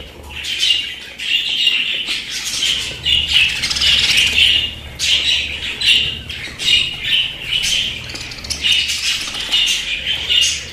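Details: Pet budgerigars giving a steady run of warbling chatter and squawks, dense bright notes in pulsing bursts that rise and fall throughout.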